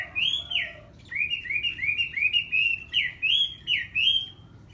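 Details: Red-whiskered bulbul singing a lively run of clear, warbled whistled phrases, each note sliding up and down, given in quick succession with brief pauses between groups and a faint low background hum.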